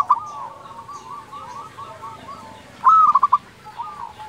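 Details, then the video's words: Local zebra dove in the flute-like 'nyuling' style delivers one loud phrase, a sharp high note followed by four quick bubbling coos, amid softer, more distant cooing. "perkutut lokal gacor suara nyuling"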